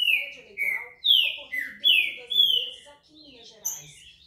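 A green-winged saltator sings a run of loud, clear whistles, each slurring downward, about seven notes in four seconds, ending in higher, thinner notes.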